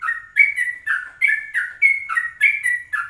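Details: Yellow-vented bulbul in a morning recording made at 04:30, meant to lure other birds and to tutor them in the 'ropelan' style: bubbly whistled phrases that rise and then drop, repeated about every half second, in a quiet setting.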